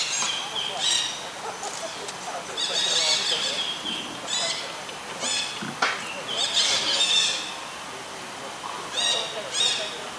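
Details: Juvenile Buffy fish owl, practising hunting, repeats rough, hissing, buzzy calls in irregular bouts through the recording, some long and drawn out, with bird chirps and a sharp click in between.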